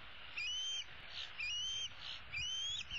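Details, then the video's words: Older bald eagle eaglet of 2016, a female roosting in the nest tree, calls for supper from her parents: three drawn-out, high, thin whistles rising gently, about one second apart. "E7 dangles her right leg and calls for her parents to bring her some food."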